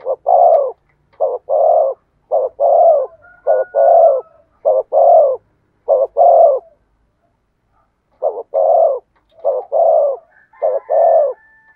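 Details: Spotted dove singing in the 'thổ sấm' voice: a long series of strong, rough low coos paired short-long, with one brief pause midway before the rhythmic cooing resumes; a faint thin whistle near the end.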